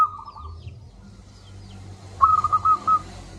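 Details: Local zebra dove in full voice, a lure recording meant to get reluctant doves singing: a softer trailing coo fades early, then one strong phrase of five quick, clipped whistled notes.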